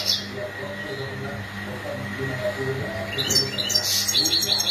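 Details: Goldfinch mating calls for stimulating males: mostly quiet hum at first, then a brief, bright flurry of high, tinkling twitters near the end.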